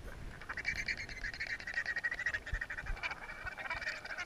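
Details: Three Tristan albatrosses on Gough Island, a courtship love triangle, give harsh, nasal braying calls in rapid overlapping bursts during their dance display, with wind rumbling underneath.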